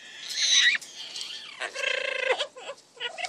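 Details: Double yellow-headed amazon parrots kept as pets, two birds, uttering a grating, buzzy squawk after a higher strained call, then short clipped notes against a faint hiss.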